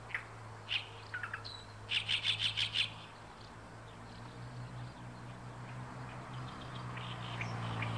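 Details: Oriental reed warbler proclaiming its territory at Inuyama, Japan, 28 May 2022: a few harsh notes, then a rapid run of five loud, grating syllables, followed by quieter scattered notes and a low steady hum.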